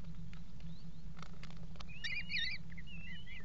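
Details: Eurasian kestrels at a nest box on the Axel water tower, 5 February 2018, mating on the box's edge: a brief burst of wavering, whining notes, with scratching clicks before it and a steady electrical hum.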